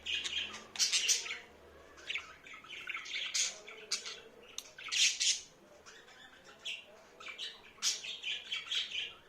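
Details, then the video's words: Pet budgerigar described as talking, delivering a long, busy stream of raspy warbles, squeaky chirps and clicking notes in bursts, with short pauses between phrases. "Muhabbet kuşu sesi, Konuşan muhabbet kuşu"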